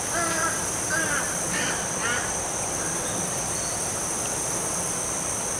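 A young gallinule gives four harsh, nasal squawks about half a second apart, then falls silent; a steady, shrill insect drone runs throughout.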